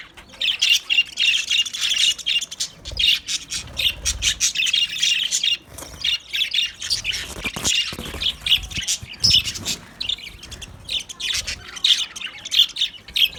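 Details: A group of white budgerigars produces a long, lively warble of overlapping squeaks, buzzy trills and chirps that barely pauses for thirteen seconds.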